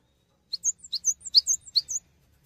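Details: Short phrase of lively cinereous tit song meant for training songbirds: high, piercing two-part whistles in quick succession, with a faint low rumble beneath.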